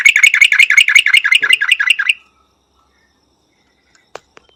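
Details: ['Rapid bubbly chatter from a Yellow-vented Bulbul in Thailand, about a dozen quick ringing notes in two seconds, then near silence with a faint tick.']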